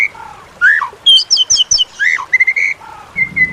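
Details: White-rumped shama training song to coax quiet shamas into singing. Short whistled phrases alternate with high chirps and softer slurred notes, separated by brief gaps.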